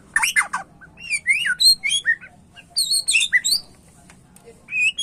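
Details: White-rumped shama song with loud, varied phrases: harsh squeaky notes, slurred whistles that rise and fall, short pauses between bursts, and a final rising whistled phrase after a quiet gap.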